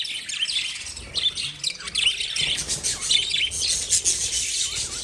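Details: A flock of lovebirds chattering nonstop, a dense wash of high, scratchy chirps and twitters overlapping with no gaps.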